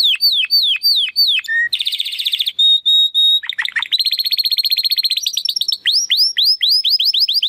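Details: Varied Belgian canary song: descending whistled strokes, a buzzy rattle, a pure steady whistle, rolling trills, then quick rising and falling slurred whistles repeated several times per second.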